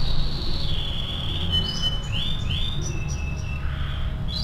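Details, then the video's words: Canary song used as master training material: thin whistled notes and short rising slurs high in pitch, partly faint, over a steady low rumbling background hum. "MASTERAN KENARI AF GACOR"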